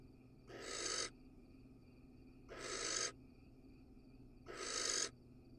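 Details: Barn owl, male seen casting a pellet in a live nest box in Israel; three evenly spaced breathy hisses, each swelling in loudness for about half a second, roughly two seconds apart, steady hum between.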